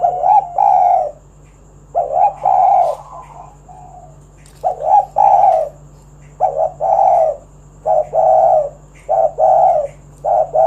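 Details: Spotted dove, a lively singer, calling to lure other doves into singing: low, mellow coos in short repeated phrases, each note rolling and slightly burred, separated by brief pauses, over a faint steady hum.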